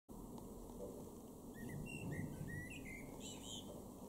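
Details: A male blackbird in a garden in Weener, East Frisia, northwest Germany, in June 2022, sings a short, fluty warbled phrase ending in a higher squeaky twitter, faint over a steady hum and low rumble.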